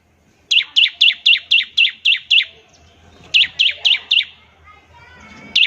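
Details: Ngebren-style trilling from a bar-winged prinia, meant to spur other prinias into song. Eight evenly spaced, sharp, high chirps, a short pause, four more, then a single note. A faint low hum sits underneath.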